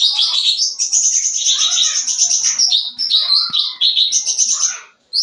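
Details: Continuous full-isian song of a sooty-headed bulbul, used as a lure for young birds: a long unbroken stream of high, rapidly pulsed buzzy notes and chattering trills that barely pauses for five seconds.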